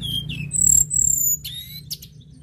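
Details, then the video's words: Sunda robin singing thin, very high whistles: a drawn-out piercing note, then quick sharp flourishes and short chips, over a faint low hum. "TLEDEKAN GUNUNG GACOR"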